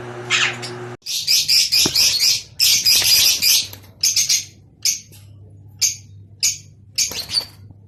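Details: Rosy-faced and Fischer's lovebirds' mating call for stimulating breeding: a loud run of shrill, buzzy chattering, then sharp, high single chirps spaced irregularly, about one per second.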